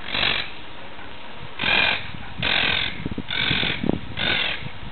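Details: Monk parakeet (Myiopsitta monachus) on 17 July 2008 giving five harsh, grating squawks, each about half a second long, spaced roughly a second apart over a low outdoor rumble.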